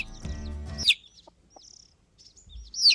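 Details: Newly hatched chicken chicks peeping: short, high, downward-sliding peeps scattered across three seconds, some loud and close, after a brief low buzzing tone at the start.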